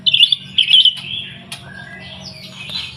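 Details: White-rumped shama in energetic singing form, a lure recording meant to prompt other birds to sing: bright high whistled phrases in two quick bursts, then a thinner rising and falling whistle, over a low steady hum.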